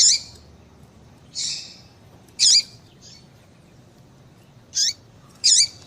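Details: Female papa-capim (yellow-bellied seedeater) calls, played to excite a male into singing: short high chirps with a sharp upward sweep, given singly at irregular gaps of one to two seconds, over a quiet background.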